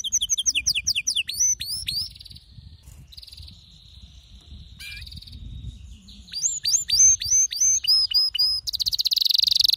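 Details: Excited male canary song: repeated hooked whistles in fast series, a soft buzzy pause, then a renewed run of looping upslurred notes ending in a dense, high rattle.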